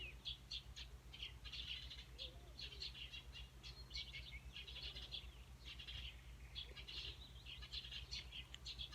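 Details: Unidentified light-brown bird with green on the wing, pigeon-like, gives harsh, raspy, cough-like bursts, high and scratchy, about once a second, over a steady low hum; its song sounds like someone coughing.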